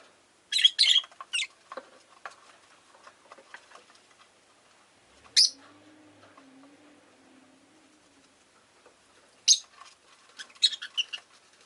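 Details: Rosy-faced lovebirds, five pets caged by a window, burst into clusters of shrill chirps at the start, middle and end, with light clicks between and a low engine-like drone passing midway.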